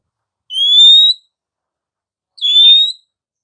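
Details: Female oriental magpie-robin whistling to provoke sluggish, silent males into singing: two clear, slightly rising pure whistles, each under a second long, separated by silence.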